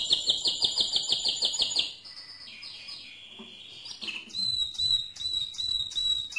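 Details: Mosaic canary's strong song: a loud, pulsing high trill for about two seconds, then quieter sliding whistles and, after a short gap, clear flat whistled tones mixed with quick chips.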